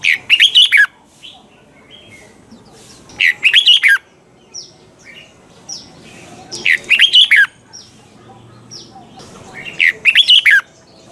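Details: A caged red-whiskered bulbul repeats its double-note mature wild-style song four times for song training, each phrase a quick cluster of loud slurred whistles, spaced about three seconds apart with faint chips between.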